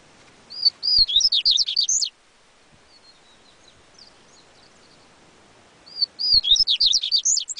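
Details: Coleiro baiano (yellow-bellied seedeater) song: two fast phrases of high, sweet slurred whistles roughly four seconds apart, each about a second and a half long, with faint soft twitters in between.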